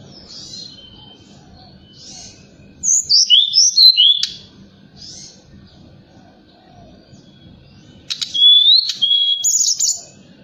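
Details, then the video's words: Lure song of a forktail at night, meant to make other birds join in: two bursts of bright looping whistles and chirps separated by quiet hum-filled gaps. "Tledekan Gunung Gacor Malam || Suara Pancingan"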